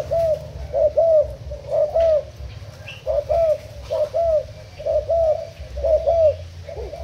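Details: Spotted dove kept as a decoy bird for cover-trapping, Thai stock, cooing in rhythmic low hooting phrases, each a short burst and a drawn-out falling note, about one per second, with a faint chirp in the background.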